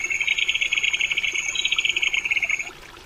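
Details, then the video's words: Crested kingfisher producing a continuous rasping rattle of quick even pulses for almost three seconds, with a faint thin high tone overhead, then stopping. "冠魚狗/Crested Kingfisher"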